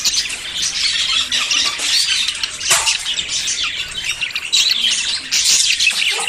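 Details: Budgerigars in courtship before breeding: busy, scratchy high chattering and squawking from many birds, rising and dipping in loudness, with a few harsher louder bursts.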